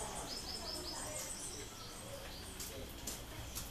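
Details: Pectoral Sparrow (Arremon taciturnus) song in Barinas, Venezuela: a quick run of about six very high, thin, sibilant notes over steady background hiss and a low rumble.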